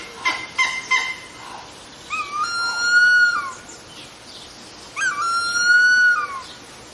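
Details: Harpy eagle above the forest trees: three quick sharp notes open, followed by two long plaintive whistles that rise slightly and drop off at the close, about three seconds apart.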